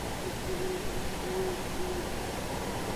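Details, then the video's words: One of two owls hooting in the background near a goose gives soft, low hoots, three short ones spaced about a second apart, against a steady background hiss and rumble. "owls hooting"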